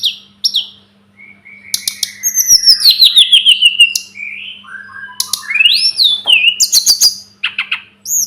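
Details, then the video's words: Sunda robin tutor song with long sliding whistles and a descending series of quick notes, then rising fluty slurs and high chips. A low constant hum runs throughout. "Masteran burung tledekan gunung"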